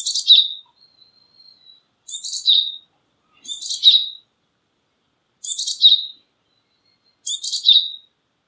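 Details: Japanese tit, Parus minor, repeating a short call of a buzzy high burst sliding into a clearer tone, five times at intervals of roughly one and a half seconds, with nothing else audible.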